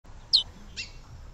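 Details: A female chestnut-bellied seed finch (curió) calls to stimulate the male, giving one sharp, high, down-slurred chip and then a softer, buzzier note half a second later, over a faint low background hum.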